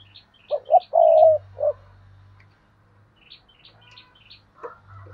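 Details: Spotted dove used as a decoy, cooing its luring call: two quick hoots, a long drawn coo, then a short closing note, with faint high chirps of small birds in the background.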